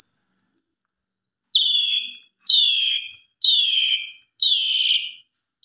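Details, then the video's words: Asian pied starling (jalak suren) singing a lure song carrying mimicked content. A high whistle, then four harsh descending buzzy notes given roughly once a second with clean pauses between. "Pancingan Jalak Suren Gacor Putra 1 Kali Biar Jalak Suren Kurang Gacor Agar Ikut Gacor Bongkar Isian"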